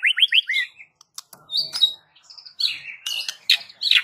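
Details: White-rumped shama in full song, said to get other shamas in the village answering: rising slurred whistles, then a varied stream of sharp chips, buzzy notes and high warbled phrases.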